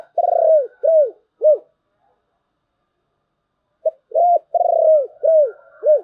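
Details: A spotted dove delivers 'thổ bầu'-style song in two bursts of low, arched coo notes. Each burst opens with a longer note, followed by shorter downward-curving ones, separated by about two seconds of silence.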